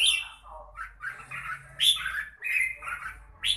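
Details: Red-whiskered bulbul in mãng nhãn style, a run of rich, rolling whistled notes that rise and fall, broken into short chattering phrases, with a faint low hum underneath.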